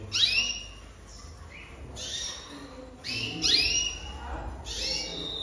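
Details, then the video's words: Jaspe canary song made of loud, sharp rising sweeps, repeated in separate bursts roughly every one and a half seconds, with quiet gaps between. "Chant Canari Jaspe"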